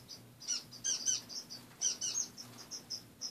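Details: Morning chatter of caged pet finches: high thin peeps in short bursts, a few louder doubled notes, then softer evenly spaced chirps, over a low hum.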